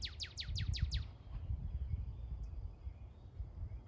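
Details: Northern cardinal making Star Wars-like sounds: a brief burst of six quick falling whistles in the first second, then only low rumbling noise.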